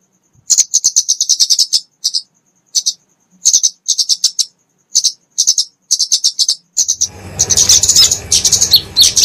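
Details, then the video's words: Flowerpecker (kemade, genus Dicaeum) fighting song for training and luring small songbirds; high, sharp ticking notes in quick rhythmic bursts with brief gaps, turning into a denser, noisier chatter during the last two seconds. "Kicauan Kemade Tarung Untuk Masteran&Pikatan Burung Kecil"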